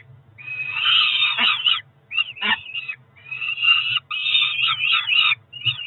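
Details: Begging Peregrine falcon chicks at a Cromer nest, June 2023, about four weeks old and calling around breakfast: harsh screeching wails with short choppy notes between longer cries, over a constant low hum.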